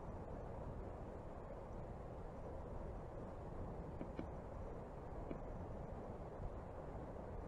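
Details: Steady low rumble and hiss with a few faint ticks, no animal calls.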